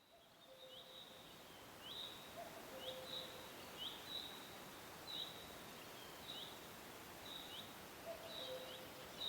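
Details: Cuckoo in forest ambience: a few soft two-note calls, the second note lower, spaced several seconds apart, under steady high chirping from other birds or insects and a constant background hiss.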